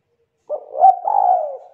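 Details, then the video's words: Young wild-caught spotted dove, 'kuk 2' singing style with a loud, thick, melodious voice, giving one low coo that swells, breaks, then draws out into a long steady note that slowly falls away. "Tekukur KUK 2 Gacor Suara TEBAL Volume KERAS MERDU"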